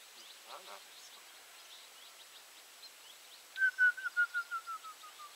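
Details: Grey-headed woodpecker in southeastern Poland: a run of about nine clear whistled notes, falling slowly in pitch and fading, with faint chatter from other small birds beforehand.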